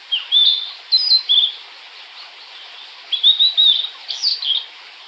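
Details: Blue-and-white flycatcher song of two bursts of bright, sliding whistles with short pauses, the second phrase ending in brief rougher notes; faint background hiss throughout.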